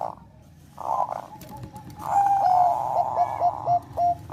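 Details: Zebra dove of the Bangkok type singing to raise breeding urge: a faint clipped note, then a drawn whistle followed by several short separated coos, with a low background hum.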